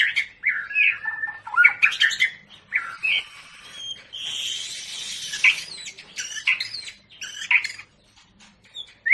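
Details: During breeding pairing of a long-tailed Medan white-rumped shama, bursts of harsh chattering and clipped whistles come in uneven phrases, broken by a buzzy, rasping stretch midway and a quiet gap near the end.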